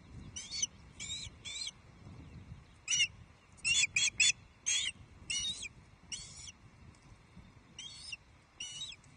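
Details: Female Osprey at the Loch Arkaig nest in Scotland on an evening in early May 2023, calling while waiting for and receiving a fish from her mate. Short bursts of high, thin, rising chirps come in clusters of two to four, with gentle background rustle.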